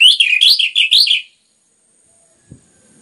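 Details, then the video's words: Orange-headed thrush phrase of rapid, rolling whistled notes lasting about a second, followed by silence and a single soft low knock. "PANCINGAN anis merah ngeplong gacor rapat cocok untuk MERANGSANG bunyi tambah GACOR"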